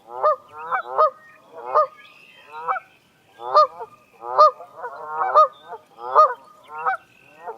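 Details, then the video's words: Canada goose in Illinois giving loud two-part honks, a low note jumping higher like uh-wonk or ka-ronk, about once a second with several birds overlapping; the species also uses alarm, greeting and distress calls. "This species makes a honking sound, sort of like uh-wonk or ka-ronk."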